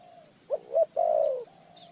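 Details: Single spotted dove phrase from a trapping lure: two quick rising notes followed by a long, even, hollow coo, with another dove's faint coo before and after.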